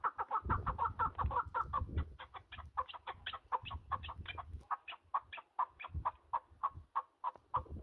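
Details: Mountain partridges giving a long run of clipped, throaty chuck notes in steady rhythm. Low rumbling background noise is heavy in the first half and eases later.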